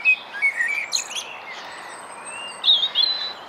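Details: Common blackbird, a male seen with his son on a foggy morning, giving scattered high, thin chirps and short sliding whistles, a few notes every second, over a soft background hiss.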